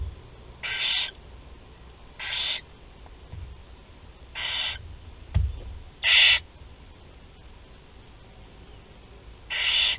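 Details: At a barn owl nest in Théding, France, four chicks are fed on 16 July 2020; breathy, snoring hisses of about half a second repeat every two seconds or so, with one sharp knock between them.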